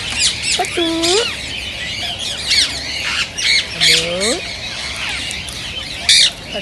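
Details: Rose-ringed parakeets chattering and squawking, meant to prompt other parrots to sing and mate: harsh rising squawks and bursts of high chirping from several birds, with loud nasal calls between.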